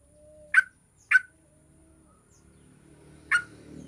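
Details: Lure recording of a yellow-vented bulbul meant to set other bulbuls singing fast: two quick rich chirps about half a second apart, a pause, then a third note, with a soft low hum in the background.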